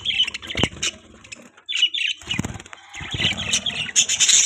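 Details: Pet budgerigars chirping: busy chatter of short high chirps and warbling trills, broken by bursts of wing flapping, with a brief quiet pause partway through.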